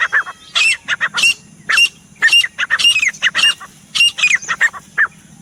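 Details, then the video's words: Grey Francolin (teetar) producing irregular clusters of harsh, honking notes with clear slurred tones, separated by short gaps, over a faint steady low hum. "The Sound Of The Pheasant Bird teetar bird"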